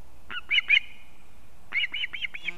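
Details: Osprey, male bringing a fish to its chick at a nest in Kurzeme, Latvia, 1 September 2024: sharp high chirping notes, a short burst of three, then a run of five or six quick squealing yelps after a pause.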